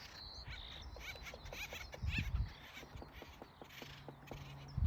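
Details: Woodpeckers pecking in Los Angeles, California: a run of sharp, dry taps at uneven short intervals, with a few low thumps midway and faint high chirps from other birds in the background.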